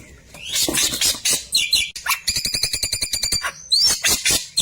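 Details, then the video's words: Klewer singing a tutor-style song for training white-rumped shamas: assorted sharp chirps and swept whistles, then a fast buzzy rattle of evenly repeated notes for about a second, followed by more high chirps and clicks. "Burung Klewer tembakan mantap cocok buat masteran murai batu"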